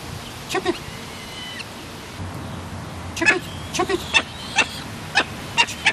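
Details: A two-week-old Barbary falcon chick, being fed by a one-year-old imprinted gyr x peregrine female, gives harsh, squealing begging chirps in short bursts, about ten in six seconds, with faint human voices behind.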